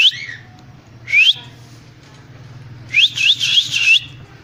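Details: Cockatiel calling with clear upward-sweeping whistles, one at the start, one near one second, then a run of four or five rising notes in quick succession; low steady hum underneath.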